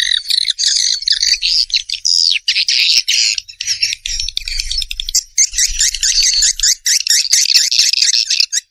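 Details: Dense swiftlet chorus of shrill, buzzy chirps and squeaky twitters overlapping almost without break, with some short gaps and faint low rumbling partway through.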